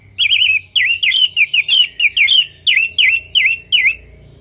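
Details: Orange-headed thrush natural song to prompt other birds to reply: about eleven rhythmic, wavering whistled phrases, each a quick twisting slur with sharp overtones, delivered in steady succession.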